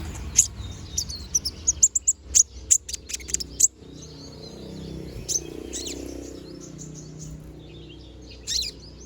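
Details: A konin bird, bald and growing feathers, gives a quick series of sharp high chirps in the first four seconds, then falls mostly quiet with only faint twitters and one last chirp near the end; low background hum.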